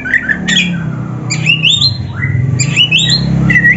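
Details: Kacer, the oriental magpie-robin, singing gacor with full isian phrasing: bright rising whistles and harsh squawky notes in quick clusters, over steady low-pitched hum and room noise.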